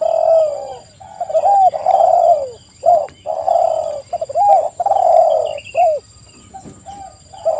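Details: A busy chorus of spotted doves, played to lure wild doves into answering, pours out dense overlapping coos: rolling rattled starts, drawn-out descending notes and short hooked phrases, almost without pause, with a thin electronic hum behind.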